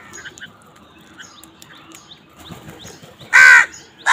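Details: Crows fighting for food: faint, brief calls flicker in the background, then a loud, harsh caw sounds and another begins right at the end.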